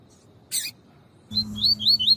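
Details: Tui-tui song of a Double-collared seedeater used for male training: after a harsh single burst, a rapid series of bright rising whistled notes over a steady low hum.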